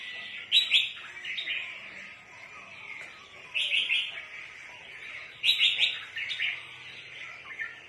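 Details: Red-whiskered bulbul, used for trapping birds, giving bright, chattering phrases in three bursts roughly every two and a half seconds, each a quick run of sharp notes falling into a softer warble.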